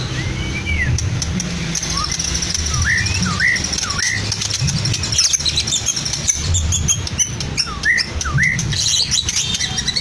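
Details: Caged Medan white-rumped shama in Blora, a mimic of lovebird, canary and cililin, delivers spaced-out upslurred and hooked whistles every second or so amid steady low background noise.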